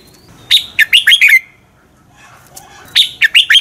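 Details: Red-whiskered bulbul singing a fighting song for training other birds; two quick phrases of four or five bright, slurred whistled notes separated by a brief pause, with faint softer chirps between.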